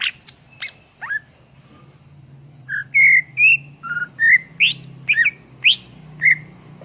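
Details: Greater green leafbird (cucak ijo) singing vigorously as a tutor for songbirds: a few sharp high notes, a short gap, then a steady run of rising and falling whistled phrases, about two per second.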